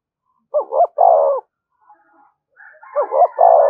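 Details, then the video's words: Spotted dove provoking other doves with two phrases, each a fast double note and a drawn-out coo. Faint higher tones come before the second phrase. "tiếng chim cu gáy kích bổi"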